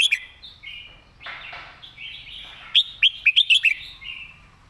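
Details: Master song of a cage-kept red-whiskered bulbul, clearly enunciated; gliding warbles and a brief burred note lead into a fast string of six bright, emphatic whistles.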